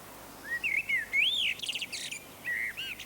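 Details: Common blackbird in a British garden singing its flute-like song: mellow whistled phrases that rise and fall, ending in higher squeaky twittering notes before another short warble.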